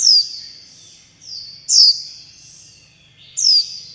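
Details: Fledgling warbling white-eyes begging for food and calling to mother and flock: three sharp, high descending chirps about every 1.7 seconds, each followed by a fainter drawn-out buzzy tail.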